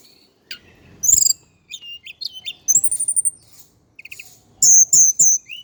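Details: Male Indigo flycatcher, Java, singing thin high slurred notes, a fast run of evenly spaced high piping notes, a brief lower trill and a final series of strong repeated chirps.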